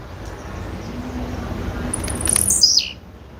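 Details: Female blue-black grassquit giving a single thin, very high call that starts with short ticks and then slides steeply downward over about a second, heard over a faint low rumble.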